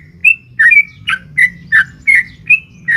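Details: Female sooty-headed bulbul calling a male in the long 'ropel panjang' style, played to rouse a caged bird: quick run of short fluty chirps alternating higher and lower, under a faint background hum.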